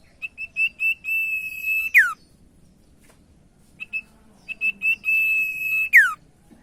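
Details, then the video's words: Common iora song meant to draw out song from other ioras. Two phrases, each built from short rising-volume piping notes and a long held whistle that ends in a sharp descending slur, with a quiet pause between. "Sirtu Macet Jadi Gacor Dengar Pancingan Burung Sirtu Satu Ini - Cipoh Gacor"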